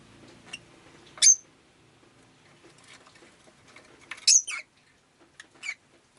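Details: Pet rosy-faced lovebird on a rainy day: a few sharp, high squeaky chirps, two louder ones around one and four seconds, over a low hum of faint background noise.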